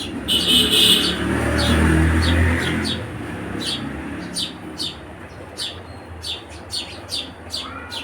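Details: House sparrow chirping, its repeated high, clipped notes coming faster in the second half after a loud low rumble of passing traffic at the start.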